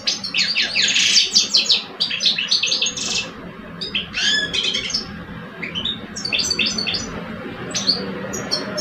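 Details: Caged Algerian male European goldfinches, an old bird and a two-year-old, singing against each other: a loud buzzy burst followed by clipped twittering notes and scattered high chirps fading toward the end.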